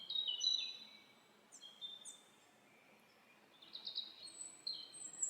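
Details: Quieter forest birdsong over a steady background hiss: high piercing whistles and a few short chirp clusters, with a thin sustained whistle near the end.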